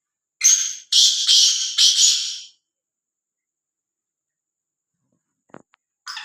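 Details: Black francolin, roaming free and unafraid, gives a rasping, buzzy phrase of one short note and three longer harsh notes. Silence follows, broken by a faint click and a final harsh note.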